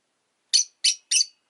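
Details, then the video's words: Rosy-faced lovebird kept indoors, letting out three harsh, raspy high chirps in quick succession, roughly a third of a second apart. "Lovebird Chirping Sounds"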